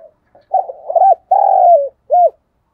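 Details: Coaxing coo of a spotted dove, meant to get other doves cooing: a soft faint note, a broken rolling series of low coos, a longer vibrating falling coo, then a final short hooded coo.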